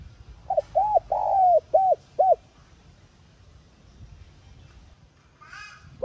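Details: Spotted dove calling, a sound used to stimulate decoy birds to coo quickly: a rapid series of five arched, hollow coos, the middle one drawn out, followed by a brief high chirp of another bird.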